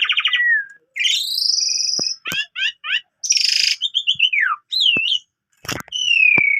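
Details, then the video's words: Asian pied starling in morning song, full of mimicked phrases: a rising drawn-out whistle, clipped double notes, a rasping buzz, a falling slurred phrase and sharp clicks, separated by brief silences. "Pancingan Pagi !! Jalak Suren Gacor Full Isian Cocok Buat Masteran Burung Kenari Paud"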